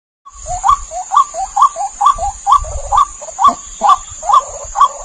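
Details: White-breasted waterhen calling as a lure for catching the bird: about ten hoarse, rising notes, roughly two per second, with low rumbling thumps early on and a steady high electronic whine.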